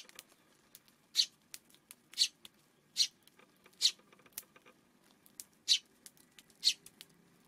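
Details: Eurasian tree sparrow on an afternoon of June 5, giving short, bright chirps spaced roughly one second apart, about seven in all, with soft clicks and patter between them in a quiet setting.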